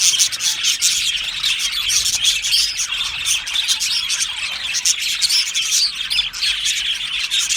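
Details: Happy budgerigar colony in an aviary keeping up a busy, high-pitched chorus of chirps, squeaky twitters and short warbles from many birds at once.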